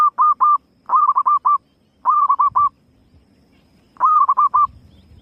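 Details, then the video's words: Zebra dove hen used as a lure, calling in four quick bursts, each a drawn-out coo that breaks into three to five clipped hoots, with a faint low rumble between bursts. "Suara Pikat Burung Perkutut Betina"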